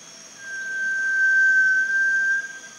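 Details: A Malaysian rail-babbler at Panti Bird Sanctuary gives one long, thin, pure whistle on a single steady pitch, held about two seconds, over a faint high insect hum.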